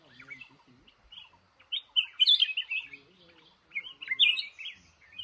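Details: Male red-whiskered bulbul in a trap singing short, rich, warbling phrases in two bursts, with fainter chirps from other birds and some low background sounds.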